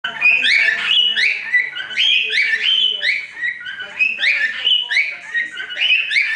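A cockatiel sings a bright, warbling string of whistled phrases that rise and fall.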